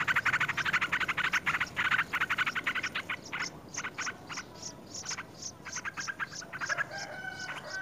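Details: Very hungry Yellow-vented bulbul nestling begging as it is fed a big fruit: fast, harsh repeated chattering pulses in long runs, briefly pausing, then a few higher drawn-out notes near the end.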